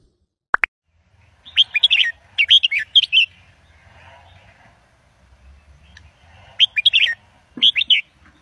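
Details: Red-whiskered bulbul singing a professional Indo-double style song used to teach young birds: after a sharp click, bursts of bright, quick chirping notes come in short clusters, pausing a few seconds before the next phrases, over a quiet low background rumble.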